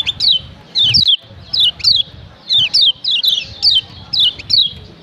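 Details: Yellow white-eye hen from Lombok, Indonesia, calling to rouse males: quick, sharp chirps dropping in pitch, frequently in pairs, repeated briskly around once a second against a faint low hum.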